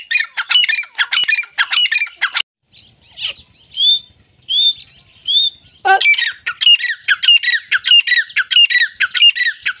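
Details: Grey francolin calling in loud bursts of rapid, harsh, ringing notes with descending harmonics, a short quieter gap holding a few thin whistled notes, then the fast repeated series resumes.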